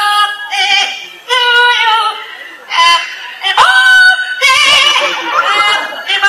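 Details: Yellow-naped amazon, a pet parrot, sings a human tune, "Happy Birthday", in phrases of clear, harmonic-rich voice, with sliding notes and a squawky, strained finish.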